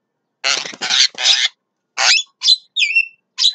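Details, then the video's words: Midday song of a Javan myna: three broad, raspy grating notes in quick succession, then a shorter rasp and several clear whistled, bending notes. "JALAK KEBO SIANG HARI"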